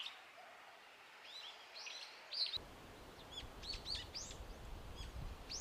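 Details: Noisy brown-eared bulbuls in a blooming cherry tree in Japan, feeding on flower nectar; series of loud arched high calls, denser in the second half, with a low background hum joining midway.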